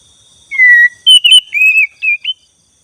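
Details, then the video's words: Oriental magpie-robin (black-breasted magpie-robin), a lure song said to grow louder at night: a long, slightly falling clear whistle, then a quick run of varied, bright whistled phrases, over a faint steady high whine. "suara BURUNG KACER dada hitam gacor"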